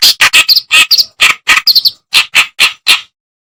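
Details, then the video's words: Reed warbler song, a tutoring recording for songbirds: harsh, buzzy notes mixed with brief high, thin tweets in the first half, then a few slower rasping notes before silence. "Masteran Burung Kerakbasi"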